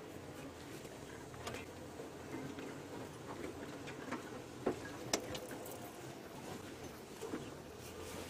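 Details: Quiet evening safari ambience of soft irregular patter and a few faint ticks over a low, even background hum.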